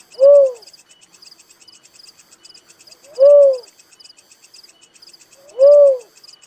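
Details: Little cuckoo-dove calling three times: short, rounded notes that rise and fall, spaced about two and a half seconds apart, with a dense shrill insect trill throughout.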